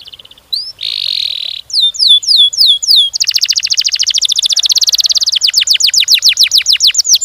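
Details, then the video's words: Singing canary with long, fast, dense delivery: a brief buzzy note, a series of looping whistles, then an extended rapid rattle and a run of sharp falling whistled notes repeated several times a second. "Burung kenari gacor ngerol ngedur panjang, Suara Kenari gacor speed rapat untuk pancingan kenari"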